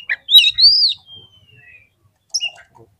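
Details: Kacer, the Oriental magpie-robin, as a lure to provoke fighting birds: a short burst of chips and an arched whistle, then a long thin falling note, a pause, and a brief closing phrase.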